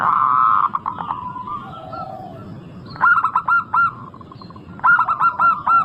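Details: Singing local zebra dove used as a lure to set other zebra doves off: a drawn-out mellow coo, then two lively bursts of rapid, stuttering coo notes, each four to five notes, against a hum of distant cooing.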